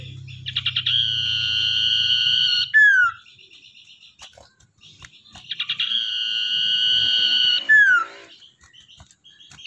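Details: Common iora, a tamed wild-caught bird used as a lure: two phrases, each a burst of quick stuttering notes, a sustained even whistle about two seconds long and a sharp downslurred note, with soft chatter between phrases.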